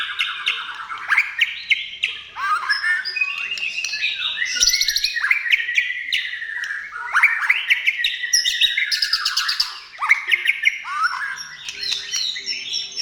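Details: Long, continuous white-rumped shama song meant to prompt other shamas to sing, made of dense rapid whistles, rising and falling slurs and chattering trills without a break.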